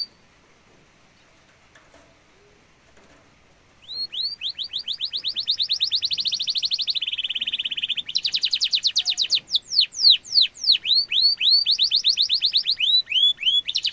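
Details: Training song of a canary for young and adult birds: near silence for four seconds, then a long sustained rolling trill of rapid whistled notes, a lower buzzy stretch, and finally slower swooping notes.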